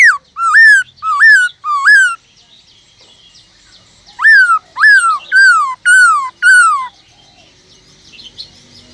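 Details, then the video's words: {'text': "Captive Black-throated laughingthrush in full 'forest voice' song, played to encourage other kept birds to sing: a series of clear, rising-then-falling whistles in two bursts, four notes and then five, separated by a pause."} "Khướu bạc má kích trống căng lửa HÓT GIỌNG RỪNG"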